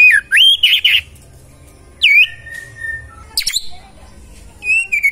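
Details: Magpie-robin delivering varied whistled phrases: a rising slurred whistle, a long steady tone, a sharp scratchy burst, and a final downward whistle, with quiet gaps between them.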